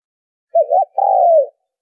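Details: A single spotted dove coo phrase for luring birds to a trap: a short wavering double note, a brief gap, then a long, even coo that slides down at the end.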